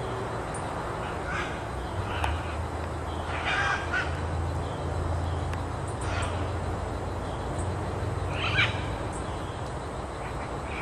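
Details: Great green macaws at Grand View Estates: harsh, raucous squawks in short broadband bursts roughly every two to three seconds, set against a steady low rumbling background.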